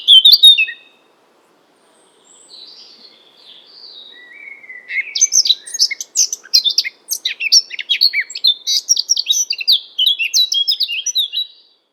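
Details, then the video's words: Eurasian Blackcap singing in European hedgerows: a short loud whistle, then a quiet hesitant warble that builds into a fast, rich cascade of fluted and chattering notes lasting several seconds. "Ce chant est celui de la fauvette à tête noire."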